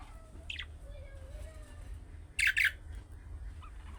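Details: Budgerigar giving chick-style calling notes meant to draw replies from other budgies; a short harsh squawk near the start, then quiet, then two loud broad rasping bursts back to back, over a low steady hum.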